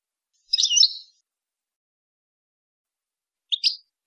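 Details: European goldfinch song used to train young goldfinches and hybrids: a half-second burst of dense, high twittering, then silence, then a brief two-note chirping figure about three seconds later; clean recording with no other sounds.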